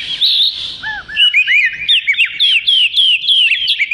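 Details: Oriental magpie-robin (kacer) in full, chatty song, used as filler material for training other songbirds: rich, fast run of varied whistled notes, slurred upward and downward phrases and sharp high chips, delivered almost without pause.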